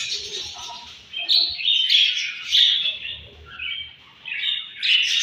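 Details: In the morning at feeding time, budgerigars give warbling chirps and squeaky tweets in uneven bursts, with a brief quieter gap near the end.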